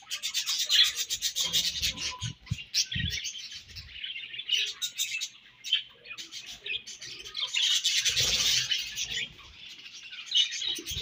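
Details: Pet budgerigars chattering while eating their favorite food: busy overlapping warbles, clicks and bright chirps, swelling and fading in waves, with low knocks and rustles from feeding.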